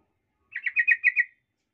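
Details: Yellow-vented bulbul lure song used to provoke other bulbuls into anger, heard as a crisp burst of six quick, bubbly, slightly warbled notes lasting under a second against a silent background.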